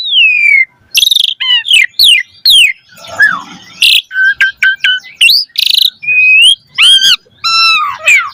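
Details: A lure recording of Asian pied starling song for training caged birds: long falling whistles, sharp buzzy bursts, a rapid run of repeated chirps and bright arched notes with harmonics.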